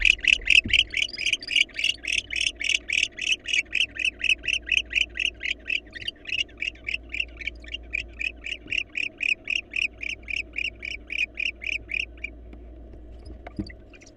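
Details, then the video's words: Wild male barn owl at a monitored nest box, excited and anxious on meeting a female, gives a rapid run of about thirty short, chirping twitter notes, nearly three per second, fading slightly before stopping, over a steady low hum. "Awkward Male Barn Owl: Excitement and Anxiety, when a Male Barn Owl Meets a Female."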